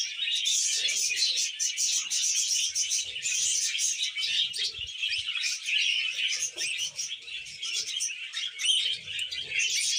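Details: Budgerigars kept as pets being tamed keep up an unbroken stream of bright, buzzy chirps and warbles, many birds overlapping, with occasional soft low thuds beneath.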